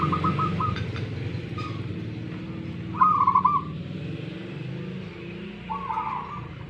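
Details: Local zebra dove from Tuban, East Java, gives short bursts of quick, pulsed, mid-pitched cooing notes at intervals, three phrases spread over several seconds, over a steady low rumble of background noise.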